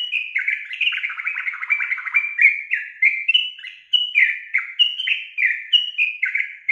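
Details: Loud, continuous calling from a female sooty-headed bulbul, said to set males answering; dense, chattering series of slurred whistles, some buzzy and trilled, tumbling up and down without pause.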